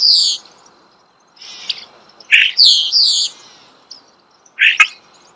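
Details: Starling recorded close up in natural surroundings, uttering shrill falling squeals and scratchy notes in short bursts, with a steady faint thin tone and pauses between phrases.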